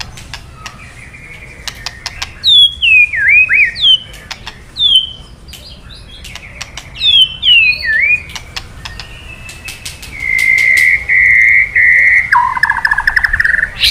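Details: A male white-rumped shama, stirred into song by kretekan calls, gives short bursts of looping, slurred whistles and clicks separated by pauses, ending in long, steady whistled tones that drop in pitch.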